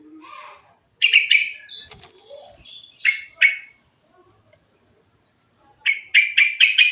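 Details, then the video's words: Yellow-vented bulbul in natural rolling song with varied phrases, used as a lure: mixed bubbly bursts and chirps, then a quick run of five bright, evenly spaced chips. "Suara Burung Trucuk Alami Ngerol Isian Variasi"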